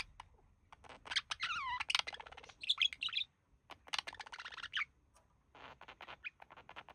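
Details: Male budgerigar kept as one of a pair, mimicking human speech: fast stuttering chatter with sweeping wavy harmonic notes, squeaky bursts, a pause, then more scratchy rapid babbling.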